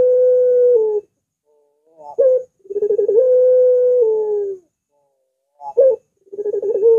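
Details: Spotted dove giving long, drawn-out, curving coos, each held steady around a second or more, separated by short rising notes and brief silences; a clean recording with no other sounds.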